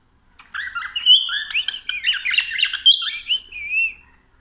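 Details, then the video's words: Cockatiel exploring a house, singing a continuous four-second run of varied chirps, squawky notes and whistles, ending on a smooth wavering whistle. "Cockatiel exploring the house"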